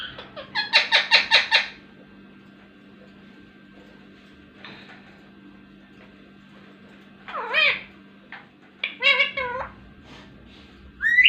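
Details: Indian ringneck parakeet kept as a talking pet: a burst of rapid harsh rasping notes, then after quiet a few sliding squeaky syllables and chattering speech-like sounds, with a steady low indoor hum.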